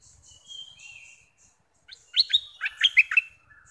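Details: Captive bulbul used as a decoy for trapping, a newly caught bird with a strong voice: after soft high notes, a loud burst of rich, bubbling whistled phrases with quick up-and-down warbles.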